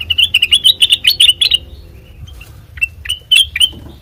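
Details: Sooty-headed bulbul song for use as a training lure: a fast chain of sharp, slightly rising chirps for a second and a half, a quiet gap, then a few scattered clear notes over a soft hum.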